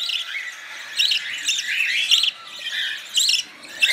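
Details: A hand-reared budgerigar chick, having its beak and chest wiped with a cloth after feeding, gives a few short, scratchy, buzzy chirps separated by quiet gaps.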